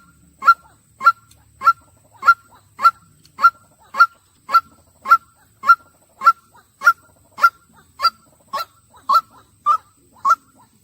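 A white-breasted waterhen gives loud, harsh, honking kwak notes, repeated steadily almost twice a second, with no other sounds.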